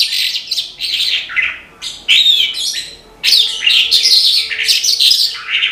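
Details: Australasian bush lark (branjangan) singing hard: loud bursts of high, varied chirps, slurred whistles and buzzy trills, separated by short pauses, with a faint steady tone in the background.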